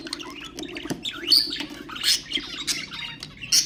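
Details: Budgerigars, ornamental birds, calling to stimulate others: sweeping whistled chirps and upward slurs mixed with scratchy chatter and a few harsh squawks, low hum in the background.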